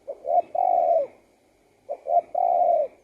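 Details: Spotted dove song of two phrases, each made of short rising coos leading into a long, steady, hollow coo that fades at the end; no other sounds stand out.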